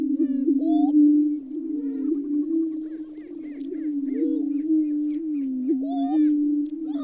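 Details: Great steppe grouse: a continuous low, wavering hum, with occasional upslurred hoots and scattered faint high chirps.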